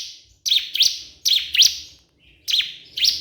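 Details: Bar-winged prinia (ciblek kristal) calling a rival: sharp, high chip notes that rise and fall steeply, in pairs with a buzzy edge. The pairs are separated by brief silences.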